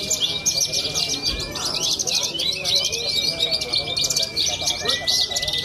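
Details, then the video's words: A young Horsfield's bushlark, a Cilacap songbird-contest performer, delivers a continuous high, busy warble of quick slurred notes while a flat whistled tone holds steady below. "BRANJANGAN MUDA MENTAL JUARA"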